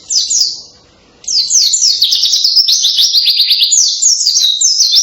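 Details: Pleci white-eye bursting into loud, canary-like song: a short opening phrase, a second of near silence, then a dense, fast stream of shrill chirps and trills.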